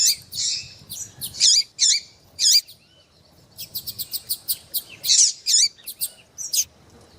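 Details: Female Double-collared Seedeater in heat, calling intensely and peeping to stir a male: a series of sharp, high chirps with sweeping notes, in two bursts separated by a short pause, over faint low background rumble.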